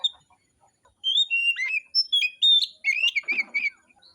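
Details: Kacer, the oriental magpie-robin, in a song contest. After a quiet start, it bursts into a string of bright whistled notes and sharp downward slurs, ending in a dense buzzy flourish.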